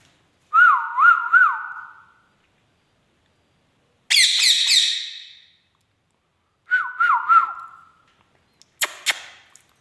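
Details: Pet Indian ringneck parakeet indoors giving wavy, see-sawing whistles in short phrases, separated by a harsh buzzy squawk burst and sharp clicks, with long silent gaps between bouts.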